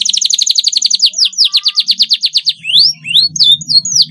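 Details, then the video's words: Canary song for tutoring young canaries learning to sing: a very fast high trill slowing into evenly spaced repeated notes, followed by sharp rising upslurred whistles over a soft low hum. "paud kenari belajar bunyi cocok sekali di pancing suara ini"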